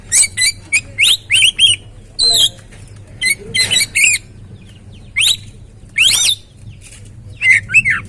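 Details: Oriental magpie-robin (kacer) song for coaxing another bird into singing: quick series of sharp whistled notes and rising sweeps in clusters, with a low steady hum underneath.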